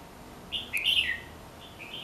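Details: A red-whiskered bulbul, watched around a home, gives a brief bright whistled phrase of a few quick, slurred notes. The notes rise and fall in the middle, followed by a softer trailing whistle over faint background hiss.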